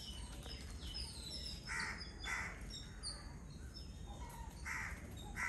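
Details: Feeding on coconut from its shell, a flock of Yellow-billed Babblers utters a few harsh, scratchy chatter notes in pairs. Faint high twitters from other birds and a low background hum accompany them.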